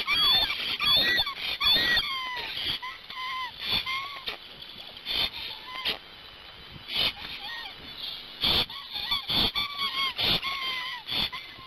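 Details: Hungarian Black Stork pair at their Gemenc nest during parent change-over, 21 May 2019, mid-morning. A long song of rasping, hissy pulses with looping whistled tones, about seventy bursts a minute. Loud at first, then quieter, uneven phrases.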